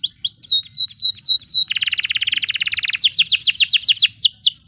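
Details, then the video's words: Canary rolling song, played as training for canaries that rarely sing. Rapid repeated downslurred whistles, then a dense buzzy rolling trill, then loud sweeping downslurred notes at a quick, fairly steady pace. The recording is clean, with a faint low hum. "Canary Ngeroll Emosi ‼️ Terapi Canary Jarang Bunyi Cepat Ikut Ngeroll"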